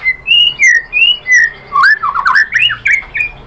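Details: White-rumped shama lure song for provoking a reply: several long clear whistles, falling and rising, repeated about twice a second, then a quick tumbling run of richer warbled notes.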